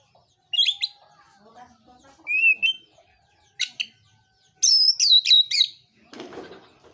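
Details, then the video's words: Oriental magpie-robin giving fighting-mode song meant to provoke rival magpie-robins. Scattered high chips and a rising whistle lead into a loud cluster of piercing notes, followed by a brief rough, scratchy burst. "KICAUAN KACER NARUNG"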